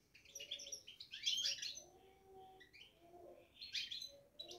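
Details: Caged European goldfinch babbling, with dense bursts of bright, liquid twitters and rapid chirps, a brief lull, then more tinkling notes, over a soft low hum.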